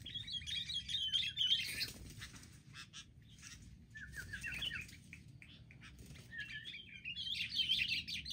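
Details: Sooty-headed bulbuls, wild birds attacking together during trapping: a burst of warbled chatter, a break with wing flutters and rustling, a few slurred notes, then another excited chattering burst.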